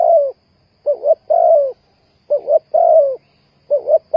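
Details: Spotted dove call used as a lure for trapping: low cooing phrases, each a quick double coo followed by a longer drawn-out coo, repeated about every one and a half seconds in a quiet setting.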